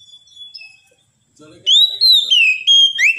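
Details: Oriental magpie-robin singing a loud, sweet phrase of sliding whistled notes that rise and fall, after a near-silent pause with faint earlier whistles.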